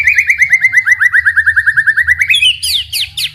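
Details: White-rumped shama song meant to provoke other shamas into singing: a fast even series of about twenty upslurred whistled notes on one pitch, ending in a few higher sharp sweeping notes.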